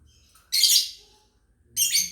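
Lovebird giving two harsh, high chirping bursts about a second apart, each roughly half a second long, with a quiet background.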